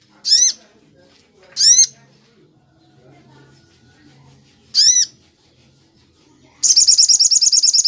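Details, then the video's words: Sunbird (sogon) song in the 'tembak cililin' style, kept as a training recording for other songbirds: three sharp, high descending chirps spaced one to three seconds apart, then a rapid, buzzy high trill to finish over a faint low hum. "masteran sogon tembak cililin"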